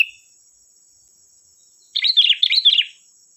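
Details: Sooty-headed bulbul singing actively, as a lure to make other bulbuls answer: a clipped note at the start, then after quiet a lively run of warbled, rolling chirps lasting about a second, above a faint steady whine.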